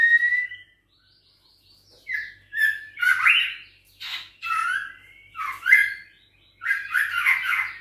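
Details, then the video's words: Young white-rumped shama, six weeks old from a Bahorok line, responding to a rival with a varied string of short whistles, slurred notes and harsh chattering bursts, delivered in quick groups separated by brief silences. "Usia 6 Minggu Ditrek Ngelawan💪Trah Murai Bahorok"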